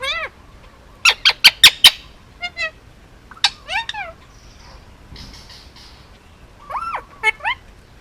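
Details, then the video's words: Male Indian ringneck parakeet, almost two years old, hand-fed and raised on Oahu, Hawaii, making noises: loud harmonic squawks in a quick burst of four, then arched whistled notes and sharp chirps, with quiet pauses between. "Indian ringneck talking and making noises"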